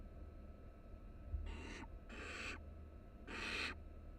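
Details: Three barn owl nestlings resting together in a nest box at the University of Florida, recorded by a live camera. Three harsh, breathy hissing bursts, each under half a second, over a steady low hum.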